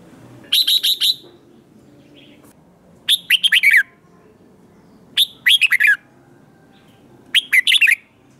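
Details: Red-whiskered bulbul in competition singing, used to provoke young wild-caught birds to sing back: four short bursts of five or six bright, chirpy whistled notes, each phrase ending in a falling slur, repeated about every two seconds against quiet background.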